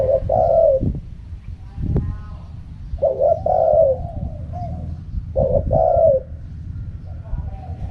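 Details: Spotted dove singing in the wild 'karam pa' style: three low, hoarse two-part coos, a short note then a longer rolling one, about every two and a half seconds, over a steady low rumble.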